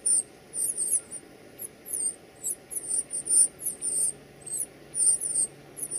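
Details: Northern cardinal feeding its chicks at the nest; thin, very high squeaky notes come in quick bursts and short runs, repeated many times over several seconds, with a faint low background hum.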